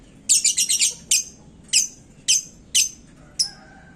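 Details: Heated lovebird in a hanging cage, calling to stir up other birds: a quick rattle of four or five piercing high chirps, then single sharp chirps repeated roughly every half second, background otherwise quiet.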